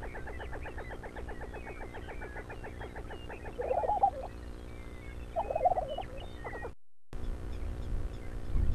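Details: Lesser prairie chickens in the early morning at a ranch in Buffalo, Oklahoma; a rapid train of short clucking notes, interrupted by two louder bubbling gobbles, with other birds calling faintly in the background.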